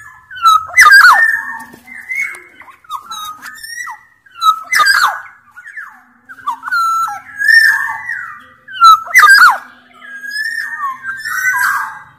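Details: Sumbawa black-naped oriole, a big-bodied form, in full lively song used to coax silent orioles into calling. Short fluted whistles rise and drop again and again, mixed with harsh, scratchy screeches every couple of seconds.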